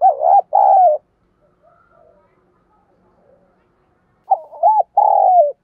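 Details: Spotted dove used as a decoy, "giọng thổ" voice, giving rapid "gù" coos to stir wild doves. Opening coo notes, then faint low murmurs during a pause, then a stuttered run ending in a long falling coo.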